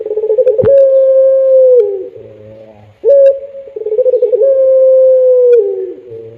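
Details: Puter pelung dove, a dove kept for its long melodious pelung-style coo. It gives two drawn-out, steady, mellow coos, each opening with a short note and a rapid throbbing stretch before ending in a falling tail. Low hum and a click are heard between them.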